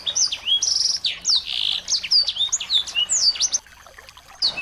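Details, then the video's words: Lure recording of small birds used to make a white-rumped shama sing: fast high chirps, about four a second, with whistled slurs and trills, then a near-silent pause and a final chirp. "masteran burung kecil"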